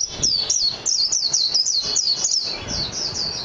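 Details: Japanese white-eye song: a lively chain of piercing, high, slurred chirps delivered several per second. The notes fade slightly in the last second, with light low clicks behind them.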